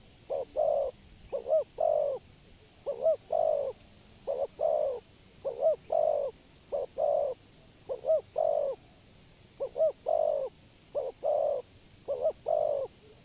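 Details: Spotted dove used as a decoy for trapping: repeated three-part cooing phrases, two quick short notes then a longer drawn-out coo, about ten phrases in steady succession over a faint constant high hiss.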